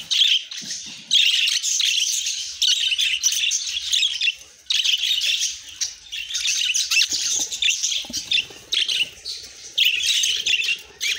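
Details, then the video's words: A steady stream of budgerigar chatter: dense, scratchy, high warbling and chirping from several birds, loud phrases broken by short pauses throughout, with faint low rustling underneath. "The Sweetest Budgie Sounds"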